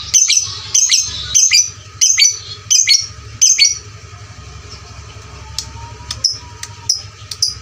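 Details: Loud fighter lovebird lure for training: five harsh high chirp bursts in quick succession, followed by a quieter stretch of thin, sharp single tweets, with a low hum throughout.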